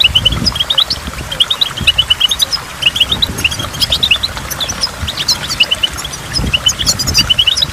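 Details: At a waterfall, a goldfinch gives short series of clipped, high chirps in small repeated groups, separated by brief pauses, while water rushes and drips in the background.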